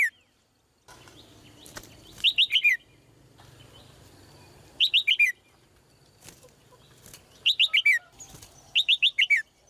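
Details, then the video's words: A female red-whiskered bulbul repeats a short melodious phrase of four or five fast, descending whistled notes. There are four bursts, spaced irregularly, with some clicks and a low hum between them. "นกหัวจุก birds - เสียงนกร้องตัวเมีย ร้องได้ไพเราะมาก ตัวผู้ร้องแรง"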